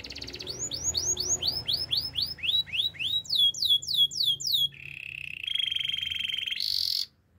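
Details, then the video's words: Song of a canary meant for training: rapid falling whistled slurs repeated in a brisk series, followed by a low rolling trill and a higher sustained rattle. "The most powerful canary training song"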